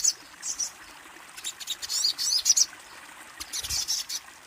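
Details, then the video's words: Kolibri ninja sunbird uttering brief high squeaky notes and short sharp twitters in scattered bursts, with quiet gaps and a soft low thump near the end. "Suara burung kolibri ninja"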